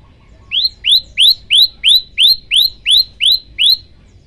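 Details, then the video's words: Prinia song from a tutoring recording of the bird locally called prenjak lumut. Ten sharp, upslurred chirps come at an even pace, about three per second, over faint low background hum. "masteran prenjak lumut"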